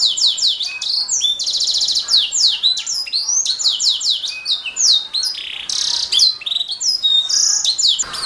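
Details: Canary master song for training songbirds: a long unbroken stream of fast high chirps, swooping whistles and buzzy rattling trills, loud and energetic throughout.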